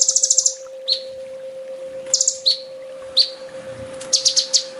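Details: Olive-backed sunbird training song, full tembak style: a short high rattling trill, then several sharp downslurred chips, closing with another buzzy trill, over a faint steady hum.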